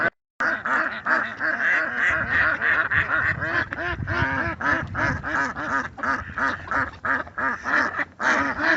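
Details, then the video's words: A flock of ducks in their natural surroundings, keeping up a dense stream of raspy, nasal quacks, roughly three per second, with voices overlapping throughout after a brief silent start. "Sonido de Patos"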